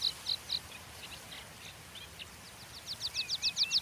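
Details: Pipit, called spioncelle, giving a few sharp high notes, then soft scattered calls, and finally a quickening run of thin, slurred notes with a short wavering whistle beneath.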